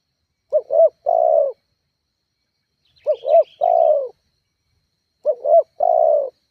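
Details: Spotted dove calling to provoke rivals as a lure: three coo phrases of two quick notes and a longer falling note, with faint high twittering from another bird in the middle.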